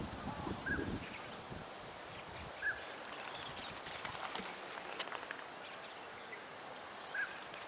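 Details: Northern pintail, a wintering duck in a park pond in Chiba, Japan, in February, giving three brief, soft whistled notes spaced a few seconds apart over steady outdoor noise with a few low thumps early on.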